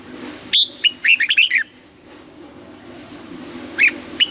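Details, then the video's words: Red-whiskered bulbul in Vietnam during morning song training, giving forest-aged double-note song: a loud phrase of clear whistles descending in a rapid burst, then two soft single notes. "Luyện giọng cho chào mào hót sáng, ép chào mào hót âm kép già rừng hay tuyệt"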